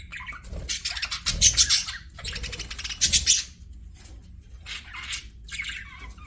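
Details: Captive pet budgies producing raspy, buzzy chatter in loud bursts, softer chirps trailing off toward the end, low thumps underneath.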